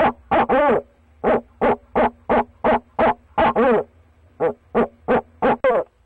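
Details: At the nest box, a male barred owl calls to his mate with irregular bursts of short, hollow hoots. Some come in quick pairs, and two longer, wavering hoots break the series. Gaps of silence fall between bursts.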